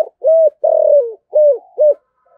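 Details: Spotted dove calling in the 'giọng thổ' (thổ sấm) voice style, used to lure and provoke wild doves: four deep, hollow coos, the second longer and falling at its end, given in a quick run, with quiet background.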